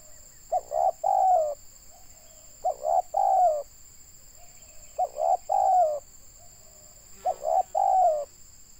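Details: During bird trapping in Indonesia, a local tekukur, the spotted dove, gives four hollow cooing phrases about two seconds apart. Each has two quick notes and a drawn-out downslurred coo, over a steady high-pitched hum.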